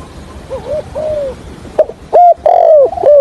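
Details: Spotted dove kept as a decoy for trapping, cooing stutteringly in the 'hạp bổi' style: soft arched notes first, then loud rough coos that swell and fall, the final ones close together.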